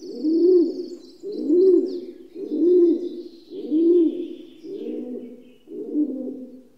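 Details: Rock dove repeating deep, rolling coos about once a second, six in a row, the last two softer, while distant small birds twitter high and thin.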